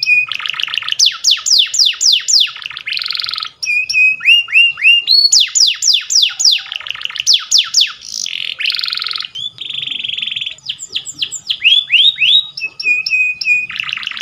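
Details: Powerful canary song for training: long varied phrases of fast descending whistles, buzzy rolls, flat held tones and rapid trills, alternating with brief pauses over roughly fourteen seconds.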